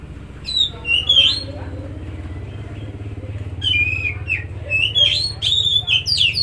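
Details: Oriental magpie-robin song played to stimulate a silent or stressed bird; scattered bright whistled phrases over a continuous low engine rumble.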